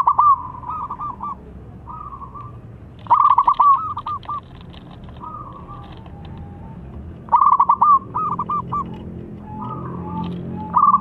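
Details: Zebra dove with a clear 'crystal' voice, used as a lure to prompt birds reluctant to sing, delivers repeated stuttering coo phrases near one pitch, each beginning with rapid clipped notes then a drawn-out trill, separated by pauses of several seconds.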